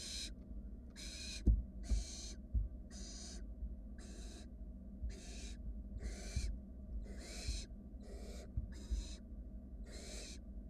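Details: Wild barn owl nestlings in a monitored nest box, huddling while a sibling slowly swallows a rat, give long harsh hissing snores, about eleven bursts in quick succession with short gaps, over low knocks and rustling.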